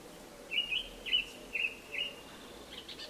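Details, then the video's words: Eurasian tree sparrow nestlings being fed, giving four short, sharp, mid-high chirps about half a second apart, followed by fainter chirping at the end, over a quiet background hiss. "skovspurveunger fodres"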